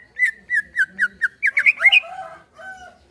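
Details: Caged greater green leafbird song used as a prompt to make another caged bird sing: a run of about seven short, evenly spaced whistled notes, then faster, rising and falling warbled phrases trailing off into softer lower notes.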